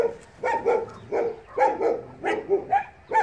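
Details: Muscovy ducks (Cairina moschata) at a breeding farm, chatting just before the first snow of the season: short, harsh, nasal calls, often in quick pairs, about eight in three seconds, at a steady mid pitch.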